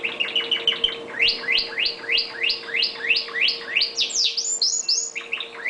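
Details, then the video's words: Red factor canary kept as a pet, in full song: a rapid trill of falling sweeps repeated about three times a second, then a run of higher rising whistles, over a constant low electrical hum. "Canary bird"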